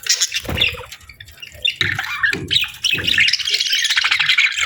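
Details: Budgie pair bonding in breeding season, giving rapid, scratchy chirps and warbling chatter, interrupted by several low knocking sounds.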